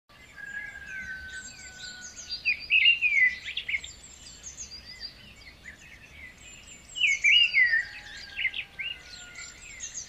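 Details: White-rumped shama song used as a lure to prompt a stressed bird that is reluctant to sing: two bursts of rich, rapid whistled phrases around mid-high pitch, with thin high chirps and a steady background hiss.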